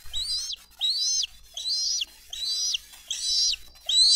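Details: Nest scene of bald eagles in Dade County, April 22, 2023, adults delivering fish and feeding eaglets: loud, piercing whistled calls, each arching up and dropping, given about every seven tenths of a second in a steady run.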